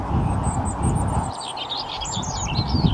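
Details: A male common (greater) whitethroat sings on its breeding territory in the riparian marshland of Rainham Marshes, Essex, with a brisk, scratchy, high-pitched warble preceded by quieter twittering, over a heavy low wind rumble.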